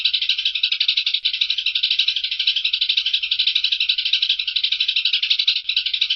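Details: Continuous harsh chatter from a Eurasian tree sparrow, a fast stream of rattling pulses kept up evenly for over six seconds with no pauses.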